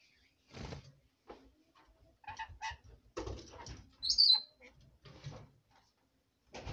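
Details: Pet female red lorikeet chattering at bedtime indoors: bursts of scratchy, buzzy mutterings and clicks, with a single shrill high-pitched squeak partway through.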